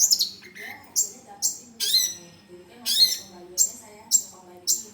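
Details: Long-tailed shrike song for tutoring: loud, harsh descending squawks and rasping notes repeated roughly every half second, mixed with a brief whistled note, over a low murmuring background.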